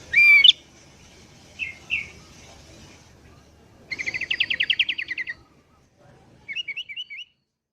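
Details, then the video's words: Sooty-headed bulbul singing actively in the morning, used as a lure for wild bulbuls: a sharp high opening note, two short chirps, then a fast buzzy trill of about fifteen notes and a brief closing series of chirps. "BURUNG KUTILANG GACOR DI PAGI HARI"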